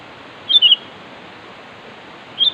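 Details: Sooty-headed bulbul calling to attract a rival. It gives a clear two-part liquid whistle, then a pause of nearly two seconds before the same call begins again, over steady hiss.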